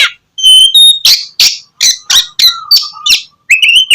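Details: Loud 'gacor' song of an Oriental magpie-robin, played to coax idle birds into morning singing: a run of harsh, buzzy bursts about three per second, then a long low whistle and a final rising whistled phrase.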